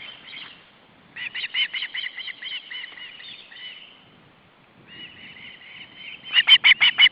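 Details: Three young ospreys, two recently fledged, beg at the nest while the male brings fish, August 2012. Rapid runs of shrill, pulsed whistles alternate with thinner drawn-out whining, ending in a louder burst of sharp repeated notes.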